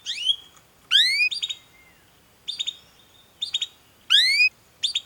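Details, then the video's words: Canary song as training audio to make other canaries sing: long cheeping calls, clear rising whistled sweeps mixed with short buzzy chip notes, given in bursts about once a second with brief gaps. "Masteran Suara Burung Kenari Gacor Panjang cuit cuit Ngerol untuk Pancingan Kenari!"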